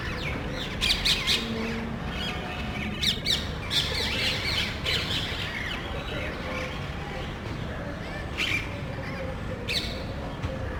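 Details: Parrots in a small group visiting a neighborhood in search of a nest, loudly squabbling; scattered harsh screeching squawks in short clusters, with long quieter gaps and constant low rumble beneath.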